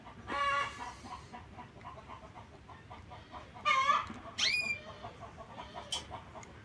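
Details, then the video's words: Harsh screeches from lovebirds, recorded 9 September 2024. A grating burst opens, a quieter stretch follows, then two loud shrill squawks, one sliding upward, over a soft steady background hum. "Pappagalli inseparabili"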